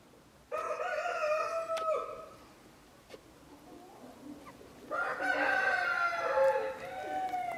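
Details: Partridge Araucana chickens of the Chilean domestic breed. A crow of about one and a half seconds is followed after a pause with soft clucks by a second, louder and longer crow that wavers before tailing off.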